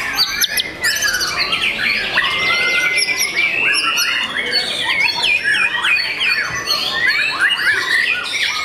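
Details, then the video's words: Young white-rumped shama kept in a cage sings a loud medley of clear whistles, a long steady whistled note early on, and rapid chattering trills packed tightly together. "MURAI BATU PRESTIS SI MURAI MUDA YANG SPESIAL!!!"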